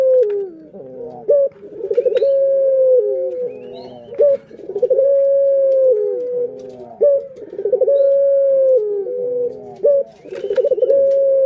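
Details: Barbary dove calling to stimulate other birds: repeated phrases of quick rolling pulses that swell into drawn-out, even tones falling slightly at the close, about every three seconds.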